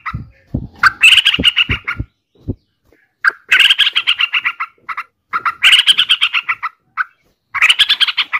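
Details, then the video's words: Yellow-vented bulbul (Pycnonotus goiavier) song: after a few low thumps, harsh rasping chattering phrases come roughly every two seconds, each a dense burst of rich, buzzy notes. "Suara Burung Trucukan"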